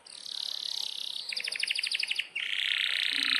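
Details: Energetic singing canary delivering long rolls: a fast buzzy trill gives way to a run of about a dozen separate sharp chip notes, then a loud dense rolling trill continues to the end. The background is clean.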